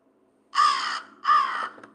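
Two harsh, nasal caws from an American Crow, each about half a second, fairly high-pitched and evenly spaced, over a quiet background.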